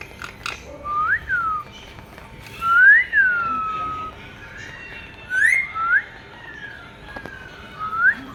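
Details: Pet talking Indian ringneck parrot during rain: clear whistled phrases, each a quick rising sweep followed by a gently falling tail, in groups separated by short quiet gaps, with occasional faint clicks.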